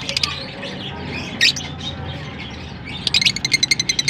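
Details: Lovebirds in Larkana give high squeaky chirps and a sharp squawk, ending in a rapid even series of about a dozen clicking tweets in the last second.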